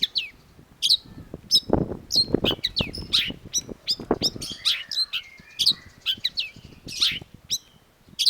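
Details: Long-tailed shrike, called cendet, singing actively: a fast jumble of varied short high chirps, sharp slurred notes and squeaky phrases, with dull low thumping and rustling noise beneath through the first half.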